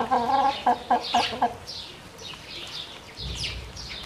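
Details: Black Orpington chickens: one drawn-out harmonic call, then four short, sharp clucks roughly a quarter second apart, followed by fainter, higher chirping notes and a low rumble near the end.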